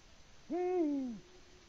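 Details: Male Eurasian eagle-owl hooting for a mate on a Latvian live camera on 6 March 2019, 6:06 PM, with no female answering; a single deep hoot, rising then slowly falling, about 0.7 seconds long, over a quiet background.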